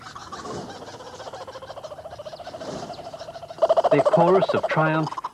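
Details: Australian kookaburras burst into a loud, rollicking chorus of harsh cackles and rapid chuckling as the family mounts a united attack on a black kite, building after a quieter opening with faint voices and background sound.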